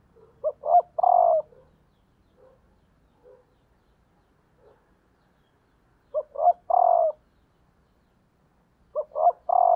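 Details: Female spotted dove, a decoy bird calling to stimulate males, gives a three-part coo phrase of two short notes and a longer drawn note, repeated about every three seconds, with soft faint notes between phrases.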